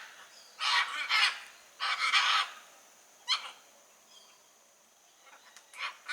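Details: Wild blue-and-yellow macaw uttering two long, loud, scratchy screeches back to back, followed by a shorter harsh note and fainter distant squawks, against a steady high hiss.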